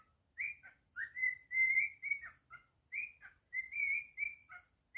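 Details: Soft whistled tune from a pet male cockatiel, with gliding notes rising and falling, some held and slightly wavering, phrased in two matching halves in a quiet room.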